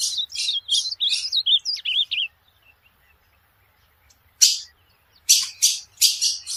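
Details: Ultramarine grosbeak song, offered as training audio for a pet bird: a fast run of warbled, twisting notes gives way to a few sliding whistles, then after a pause come loud, harsh buzzy bursts in a quiet setting.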